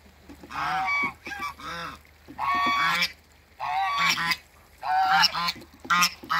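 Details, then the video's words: African geese, a couple met at a waterbird farm, call in long loud honking bouts, harsh harmonic honks running together in three drawn-out outbursts with short silences. "MEETING AFRICAN GEESE COUPLE"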